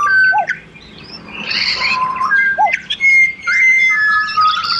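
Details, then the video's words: Pied butcherbirds, Australian songbirds, several together, sing clear flute-like whistled phrases, some arching up and down and others held steady, with overlapping voices and brief rustly noisy bursts between notes. "BUTCHER BIRDS Serenade / Serenata de Pajaros Carniceros"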